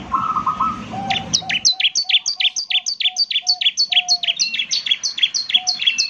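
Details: Bar-winged prinia singing steadily, a quick series of high, down-slurred chipping notes about three per second, with a lower, even whistled tone repeating underneath and a muffled rumble at the start.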